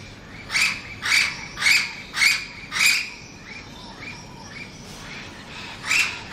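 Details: In Lecheria, Venezuela, an Orange-winged amazon utters five rapid grating squawks, then quieter, fainter calls before one last loud squawk, against a constant hiss.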